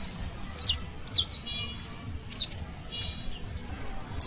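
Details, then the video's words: A young saffron finch, known locally as canario basto, gives bright, high downslurred chirps in spaced clusters over a steady low hum. "CANTO: CANARIO BASTO [SICALIS FLAVEOLA JUVENIL]"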